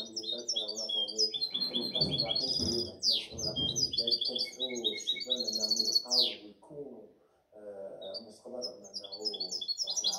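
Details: Goldfinch hybrid, a mixed goldfinch seven months old from 2019–2020, delivering a long, fast twittering song of bright chirps, buzzy notes and descending slurs, briefly pausing, while a man speaks Arabic in the background.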